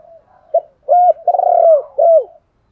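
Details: Spotted dove used as a decoy bird, calling to stimulate wild doves to call back; a clear run of low cooing notes, a short coo then three longer arched coos, the middle one drawn out and throbbing.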